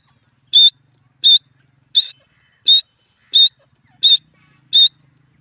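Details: Grey francolin in a jungle whistling seven short, high notes at an even pace, about one every seven-tenths of a second, over a faint low hum.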